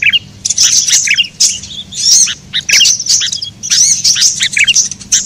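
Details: A sunbird lure recording, used to attract birds: thin, high chirps and twittering trills in quick bursts of about a second each, with brief pauses between.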